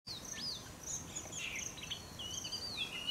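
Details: Male Oriental magpie-robin giving varied high, clear whistled notes, some sweeping up and down, in a rambling phrase, with other birds chirping faintly and a steady background hiss.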